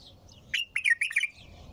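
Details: Bulbul song phrase, a rapid burst of five or six bright, fluty notes that rise and fall, loud and clear against a quiet low hum.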